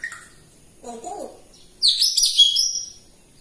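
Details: Captive grey parrot during a lively morning: a soft low murmur, then a burst of high, harsh chirping and squeaky chatter lasting over a second in a quiet indoor room.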